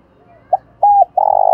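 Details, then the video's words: Decoy spotted dove, calling wild doves in thổ đồng style: a short soft note, a clipped whistled coo, then a long rough vibrating coo, close and loud. "Chim Cu Mồi giọng đồng pha + thúc rút bổi + gáy gọi bổi + cu gáy giọng thổ đồng"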